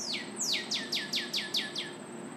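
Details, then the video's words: Northern Cardinal sings a quick run of seven clear, steeply falling whistles, about four per second, over a faint background hiss. "Cardinal singing"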